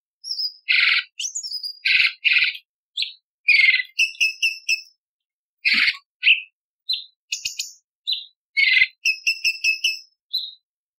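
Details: Cucak cungkok bulbul singing harsh, sharp variations as contest-bird training material ('isian tembakan'). A lively, varied sequence of raspy buzzes, descending slurs, rapid ticking runs and thin high whistles, delivered in quick bursts over about ten seconds.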